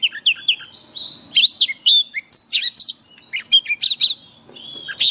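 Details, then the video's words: White-rumped shama forest-voice song used to train caged birds daily: mixed sweet whistles, sharp chirps and rapid trills, varied and energetic, ending on a clear rising whistle. "Luyện chòe than hót giọng rừng mỗi ngày"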